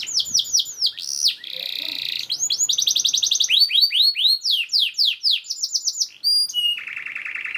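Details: Canary's fast, tightly packed master song for tutoring other canaries: quick trills shift between buzzy rolls, steady low tours and chains of descending whistles, ending in a lower harsh trill.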